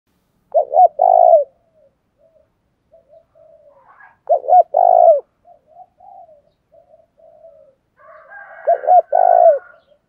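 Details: Spotted dove, a decoy bird, giving the 'thổ đồng' fight-urging call: three low cooing phrases, each two short hooted notes then a longer burry coo, about four seconds apart, with soft faint coos in between.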